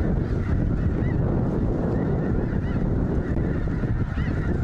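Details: Large flock of snow geese, thousands together in Linton, Indiana at Goose Pond Fish & Wildlife Area, calling nonstop: many overlapping honks, some rising, over a deep constant roar.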